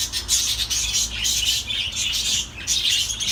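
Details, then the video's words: Loud, close budgerigar warble: bright, high twittering and squeaky chirps pouring out in quick waves with only tiny dips. "تغريد طيور الحب االبادجي"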